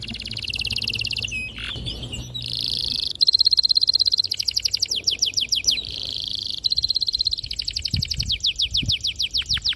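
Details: Canary song to stimulate young canaries to sing, long buzzy rolls and fast trills mixed with series of downslurred whistles, loud and continuous.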